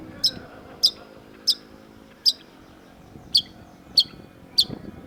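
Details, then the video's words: Long-tailed shrike: sharp, high, clipped chip notes repeated evenly, roughly one every two-thirds of a second, seven in all, over a faint low hum. "cendet gacor MASTERAN CENDET DURASI PANJANG || Long-tailed Shrike"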